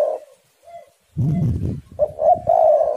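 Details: A spotted dove, recorded as a lure to get other doves calling, coos in soft, low, hollow notes, a brief coo opening and a fuller rolling coo closing, split by a burst of dull low thumping.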